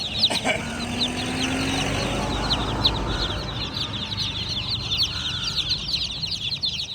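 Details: Baby chickens peeping in a dense, steady chorus of thin high chirps, one brief louder note at the start and a low background rumble throughout.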